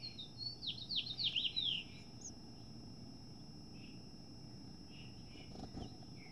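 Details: Two female house finches struggle over a nest of near-fledged chicks; a brief rush of bright downslurred chirps lasting about two seconds, then quiet with a few faint notes and low hum.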